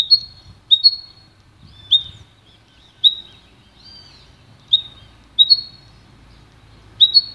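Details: Pintagol, a goldfinch × canary hybrid, recorded for song training, gives single short high whistled notes. Some notes are doubled, and they come about once a second over a quiet low background hum.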